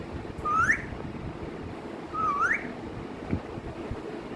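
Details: Pet parrot, called mithu, giving two clear rising whistles about two seconds apart, each a short slur sweeping upward, set against steady low background hum and noise.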